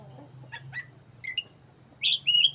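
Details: Black-breasted magpie-robin singing 'gacor': soft scattered chips first, then a loud rich whistled phrase with a rising and falling slur near the end, over a low hum.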